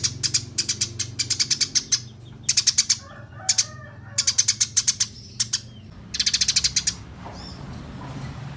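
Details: Eurasian tree sparrow in a fighting, rolling song: repeated volleys of quick, bright chirps, some bursts of ten or more notes, separated by short pauses and a few softer lower twitters, with a low background hum.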